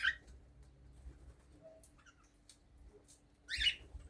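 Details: A male cockatiel sings short, bright whistled chirps with quiet pauses between bursts. Only males sing and whistle, so the song helps tell the sexes apart.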